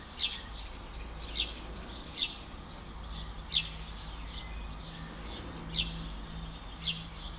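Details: Agitated Eurasian tree sparrow giving warning calls by the nest at Skřivany on 11 May 2015: short, bright chirps repeated irregularly about once a second over constant low outdoor noise and a faint hum.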